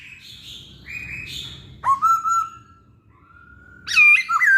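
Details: Masked laughingthrush in full song, played to lure other birds: soft rising whistles, then a sharp upswept note leading into a sustained level whistle, ending with loud looping, wavering notes.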